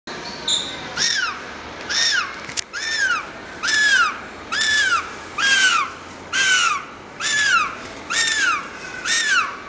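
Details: Penguin chick begging for food with cute peeping cries. The calls are arched, rising-then-falling squeals, about one per second, each lasting roughly half a second, with a steady background hiss.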